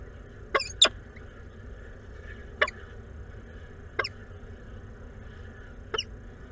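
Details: Peregrine falcon pair swapping food at a nest site in Włocławek, Poland, 12 May 2022, recorded from a webcam stream: short, sharp, scratchy calls given singly or in a quick pair, five in all, over a steady low hum.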